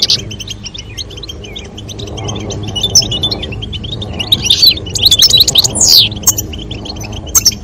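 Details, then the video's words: European goldfinch pair, female calls and male song to stimulate mating. Thin high twitters start softly and build into a busy jangling burst of sharp notes, heard over a low hum of background music. "نذاء أنثى الحسون وتغريد الذكر لتزاوج La llamada del jilguero hembra y el canto del macho"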